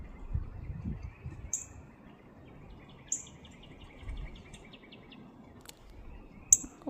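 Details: Northern cardinal calls: three crisp, high, metallic chips about one and a half seconds apart, a buzzy repeated trill from another bird beneath them, and constant low environmental noise.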